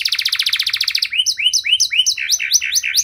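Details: Canary song used to coax non-singing canaries back into song: a quick buzzy trill of repeated notes, then a run of loud rising upslurred chirps repeated several times per second.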